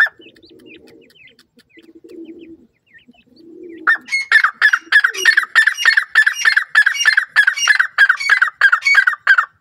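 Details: Grey francolin (dakhni teetar) in care while its chicks are being fed; after soft low murmuring, loud harsh calls rich in overtones begin and repeat rapidly, about three per second, for roughly six seconds.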